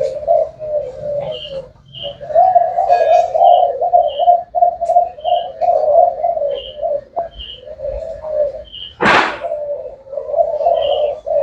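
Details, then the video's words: Spotted dove of the thái hậu type cooing: low, mellow, continuous cooing phrases run together, with short, regular high beeps, a loud sharp noise burst near the end, and faint indoor background. "Cu gáy thái hậu"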